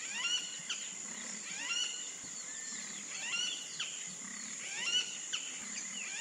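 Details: Wattled jacana calling: repeated scratchy, rasping chatters with sharp slurred notes in bursts every second or two, over a constant high insect whine.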